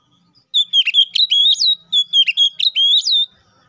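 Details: Oriental magpie-robin singing loudly and clearly, calling a rival, used to make other magpie-robins sing: a fast string of bright whistled notes with quick downward and upward kinks, delivered in two close phrases.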